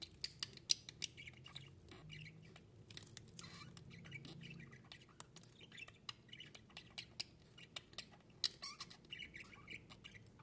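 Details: Two pet monk parakeets, Kiko and Lola, described as a couple in love, give soft, scratchy chatter and brief harsh squawks at an irregular pace over a low indoor hum.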